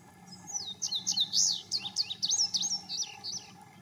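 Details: An Indigo bunting sings in the rain in Denton, Texas: a quick, high, bright run of sharp, sweet notes over about three seconds, many paired, over a soft steady hum.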